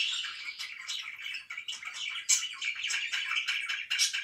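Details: Morning chirping by pet budgerigars, scratchy warbles broken by sharper high tweets, the loudness rising and falling in short bursts.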